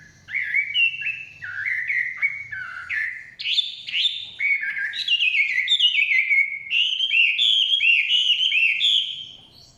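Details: Forest Chinese hwamei in full song, a rapid run of rich, slurred whistles, each note sweeping down then up, phrases shifting in pitch and pace over nearly ten seconds of steady, loud singing.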